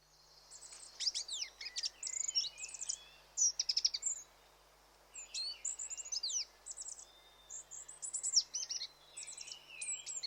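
Goldcrest giving very high, thin, sibilant notes in quick twittering bursts, repeated every second or two, with a quiet background.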